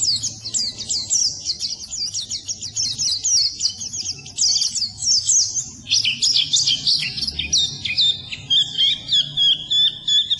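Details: Masteran song of a pleci, the Oriental white-eye, for birds that won't trill; a fast, high, chattering run of repeated chips for six seconds, shifting to varied whistled twitters and steadier high notes.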